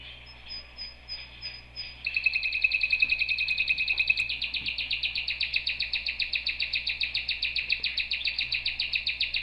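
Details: Canary singing: after a faint high whistle, a rapid trill of high notes starts at two seconds and repeats about three or four times per second, shifting to a slightly higher, buzzier roll midway, with low steady hum beneath.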